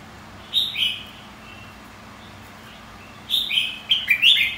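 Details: Contest singing from a red-whiskered bulbul, white-cheeked form, used to provoke fighting song: one quick liquid phrase, a long gap, then a faster run of three rising-falling whistled notes.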